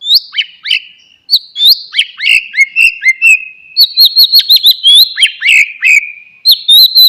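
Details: Oriental magpie-robin song for coaxing a silent bird back into singing: high whistled upslurs, quick sharp chips and a long level tone, followed by rapid repeated upswept notes and ringing rising whistles.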